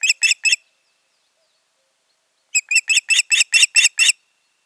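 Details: Nesting osprey pair calling on 14 June 2019, the season's breeding having failed. Three rapid piping whistles, a pause, then a run of nine evenly spaced, slightly harsh chirps at a quick, steady pace.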